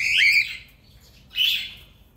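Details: A cockatiel (Nymphicus hollandicus) gives two harsh, screechy calls about a second apart, the first slightly longer and rougher than the second.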